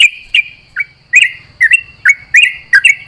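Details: Sooty-headed bulbul (trucuk) at dawn, set out in the dew and answering companions: short, rich chirps with quick upward and downward slurs, spaced by brief gaps, over a faint low rumble.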